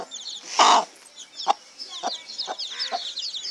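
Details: Domestic chicks give rapid high descending peeps, overlapped by a loud low cluck early on and several shorter clucks later.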